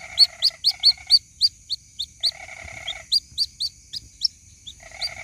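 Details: A white-breasted waterhen chick calls for its mother in a lure recording, giving rapid high rising peeps about four a second, broken by short pauses. Three bursts of a lower buzzy rasp and a constant high-pitched hum run behind.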